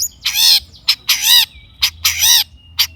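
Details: Long-tailed shrike song for coaxing a quiet bird to sing, with long grating nasal bursts alternating with brief sharp notes and a faint thin whistle between them.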